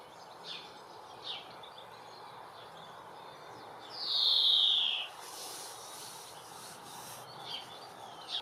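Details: Female European greenfinch in a UK garden: a few faint scattered chirps, then one loud, buzzy, drawn-out wheeze lasting about a second and falling slightly, followed by quieter chirps.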